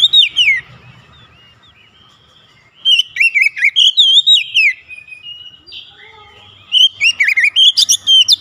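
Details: Untrained Oriental magpie-robin, kacer bahan, in gacor mode: trailing whistled notes at the start, then two long energetic bouts of rapid, looping whistles and sharp high squeaks, with calmer softer notes between.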